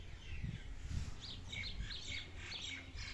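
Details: Ringneck parrot, a talking pet bird, angry and fighting: short, sharp, high chirping screeches in quick bursts through the second half, over a low steady hum.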